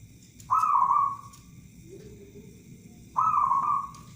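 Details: Local zebra dove, used as a lure bird: two drawn-out, slightly falling cooing notes about two and a half seconds apart, with a faint lower note between them and a low background hum.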